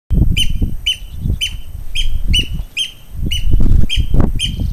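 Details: Eurasian oystercatcher displaying continually in the garden at Hotel Hellnar on June 18, 2009, giving loud, shrill piping notes about two per second, steady and repeated, over heavy low wind rumble.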